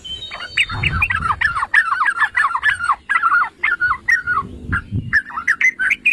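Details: Yellow-vented bulbul singing, meant to stir other bulbuls into song: quick runs of gurgling, up-and-down warbled notes in bursts, with brief pauses between phrases and faint low background rumble.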